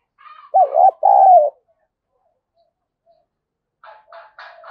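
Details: Spotted dove call meant to provoke a decoy bird to fight: one two-part coo, a warbling short note then a sustained lower coo, followed by silence and a few soft chirps from another bird.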